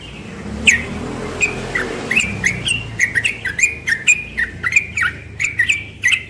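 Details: Young yellow-vented bulbul singing in the morning in the rapid 'ropel' style: bright, clear chirped notes, sparse at first, then a quick run of upslurred whistles about three per second, over a faint low rumble of traffic early on.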